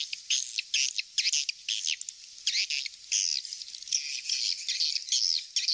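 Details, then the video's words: Swiftlet calls used as a lure: dense, rapid, high chirping and twittering bursts repeated in quick succession, with a steady hiss beneath. "suara panggil walet"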